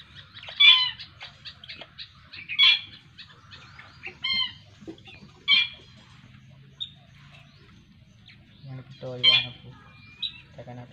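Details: Young black-winged kite being hand-fed squirrel meat by its keeper; sharp, squealing high calls in short bursts about every two seconds, with a low hum beneath.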